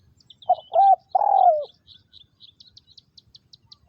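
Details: A captive spotted dove used as a ground decoy in Vietnamese dove trapping gives a three-note coo that ends in a long falling note. Evenly spaced high ticking chirps follow, then another coo begins at the very end.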